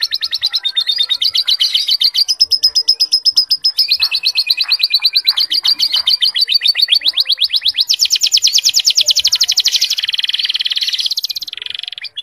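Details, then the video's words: A canary with lovebird-style fill phrases, used as a tutor song, sings a nonstop run of fast, high trills and rolling chatter, shifting to a tighter, higher buzzing trill near the end. "Suara Burung Kenari Gacor isian Lovebird"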